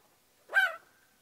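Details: Pet magpie indoors in spring, talkative when happy and comfortable, giving a single short harsh call that settles into a thin drawn-out whistled tail.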